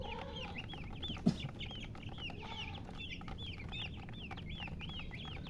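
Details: Baby chickens chirp in a crowd. Repeated arched, whistled peeps come several per second over constant low noise, with one sharp click near the start.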